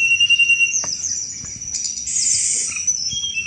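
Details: Sunda robin in energetic chattering cetrekan song, a style used to lure thrushes; high thin whistled tones and a sustained shrill note, with quick scratchy chatters repeating about three times a second.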